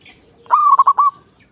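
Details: Local zebra dove giving one short song phrase: a soft, low coo that breaks into a quick stutter of three or four rolling notes, then trails off, with a quiet background.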